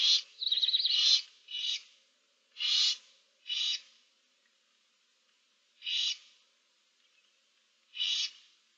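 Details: Barn owl owlets, seven chicks in a nest box, recorded 15 March 2024: harsh breathy hisses of about half a second, seven bursts spaced irregularly, the first with a wavering, tremulous tail, silence in between.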